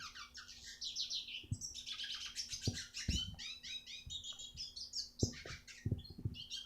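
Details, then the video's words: Red siskin song used as a masteran tutor recording for training other birds: a fast, unbroken twitter of high chirps and buzzy trills, with low knocks and a steady hum underneath. "masteran burung retsiskin"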